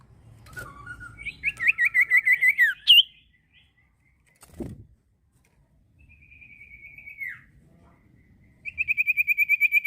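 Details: Common iora sings high, clear whistles in quick trilled series of about ten to twelve notes. One long note slides down at its end, and a final rapid trill ends the clip. Faint low rumbling and a brief knock are heard between phrases.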